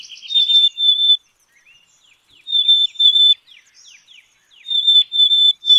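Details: Black-capped chickadee singing clear, pure whistled two-note phrases, the second note slightly lower, repeated three times about every two seconds, with soft short downslurred chirps between the phrases.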